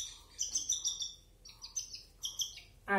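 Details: Baby cockatiel being hand fed, giving short high chirps in separate bursts with gaps of quiet between them.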